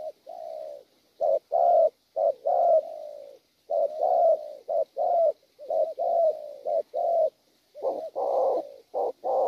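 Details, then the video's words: Spotted dove, a wild-caught bird, giving repeated soft low coos in uneven groups, roughly one note per second, with short pauses between phrases and a light background hiss. "Bổi tốt tiếng,nước gù quá hay"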